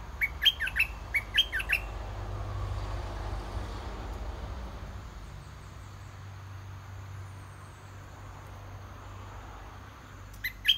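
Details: A caged decoy red-whiskered bulbul sings to draw a wild bird down for a fight. Two quick bubbly whistled phrases come first, then a long stretch of outdoor rumble and hiss, and a final phrase near the end.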